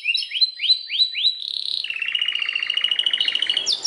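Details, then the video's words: Belgian canary giving five rising whistled slurs, a short buzz, then a long, fast, even trill of repeated notes rolling on for about two seconds. "O canto canário mais espetacular #85 - OUÇA ISSO e seu CANÁRIO BELGA VAI CANTAR MUITO!"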